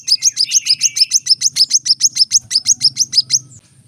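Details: Brown-throated sunbird in a rapid-fire 'tembakan rapat' burst: about twenty sharp, high, downward-flicking chips in just over three seconds, then a brief pause. A faint low rumble sits in the background.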